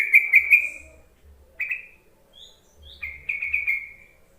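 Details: Yellow-vented bulbul calls, used to lure reluctant bulbuls into singing: a quick run of bright, bubbly chirps, a pause, a short trilled note, then another chattering burst of rapid chirps.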